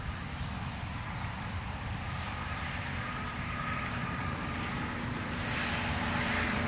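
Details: Steady, loud broadband rumble of an engine or boat motor, with no clear animal call.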